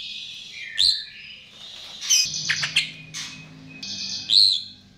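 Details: Chestnut-tailed starling song used as a lure: high whistles and rising squeaky notes mixed with harsh scratchy bursts and a faint low hum beneath.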